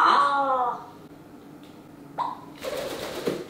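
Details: A pet grey parrot indoors, while heavy rain falls outside and it squabbles with its own reflection, gives a short voiced word-like utterance (it is known to say "ogo"), then a brief squawk and a rougher breathy burst, with human speech around.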